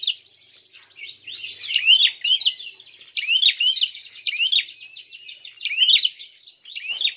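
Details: Prinia giving a fighting call meant to provoke other birds: short high upslurred, twisting chirps in bursts about every second, over a continuous fast buzzy ticking trill.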